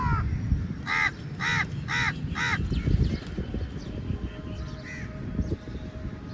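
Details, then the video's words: Feeding time for a big crowd of crows rushing the food; four loud, rasping caws in a quick run, then a single fainter caw, over a continuous low rumble. "Crow Sounds Very Loudly"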